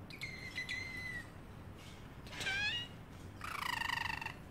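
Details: Caged pet parrotlet making funny sounds: thin descending chirps, then two buzzy, harmonic-rich nasal notes imitating a cat's meow, the last held about a second, in a quiet indoor setting.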